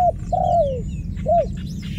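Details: Dove coos up close: a short note, then a long level coo that drops away, followed by a brief arched coo, over soft chirping of other birds and a low hum.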